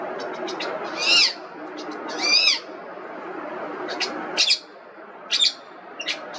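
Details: Loud arched screeches from an Indian ringneck parrot, two drawn-out calls about a second apart followed by shorter sharp squawks at irregular intervals, with continuous background noise.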